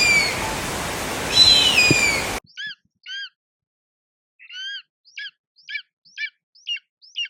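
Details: Eagle giving a series of about eight short, thin, high chirps with sharp up-and-down inflections, spaced roughly half a second apart, after an opening stretch of hissing wind-like noise.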